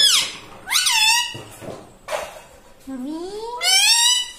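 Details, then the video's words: Pet talking parrot (tota) speaking like a human: four short bursts of harsh, squawky, harmonic syllables with quick rising and falling sweeps, separated by brief quiet gaps. "insaan ki tarah bolta tota - talking parrot"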